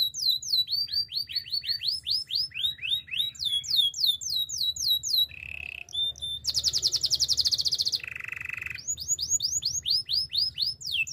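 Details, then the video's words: Spanish timbrado canary singing timbrado song for training: rolls of downward-slurred whistles, a short low trill, a loud high rattling trill, a lower buzz, then swooping notes again. "Canary singing for training - Spanish timbrado song"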